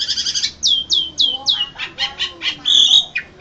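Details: Winning Asian pied starling at an Indonesian singing contest, April 2014, gives a rapid series of short, high, downslurred whistles followed by buzzy, harsh notes and a bright sustained whistle.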